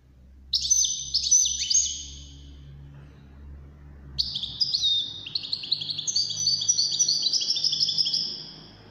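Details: European goldfinch, among five entered in a wdaniya song competition, sings a short twittering burst, pauses about two seconds, then launches a longer, rapid cascade of high, chattering notes under a faint low hum.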